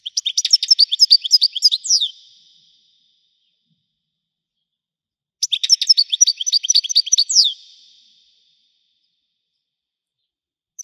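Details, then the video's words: Goldfinch song described as 'Widani', given in two rapid twittering phrases about two seconds long and roughly five seconds apart. Each phrase packs tinkling, high chirps and ends with a rising whistled note, with silence between phrases. "حسون ويداني حصري صوت مزلزل"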